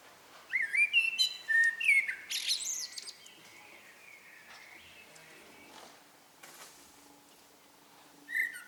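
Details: Common blackbird singing in the evening: several flowing whistled and warbled phrases with scratchy high endings over about three seconds, then quieter distant birdsong and faint rustling before another phrase begins.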